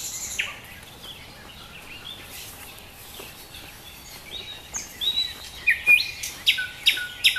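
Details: Nightingale singing in Dubki park, Sestroretsk, St Petersburg: quiet scattered notes build into a loud series of sharp, clicking, whistled phrases, repeated roughly every half second toward the end, over soft background noise.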